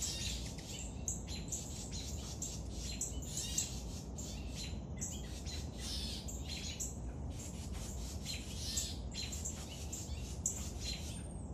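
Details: Young woodpecker being fed: dense runs of harsh, buzzy, high-pitched squawks in rapid bursts with brief gaps, repeated through the recording over a steady low background rumble.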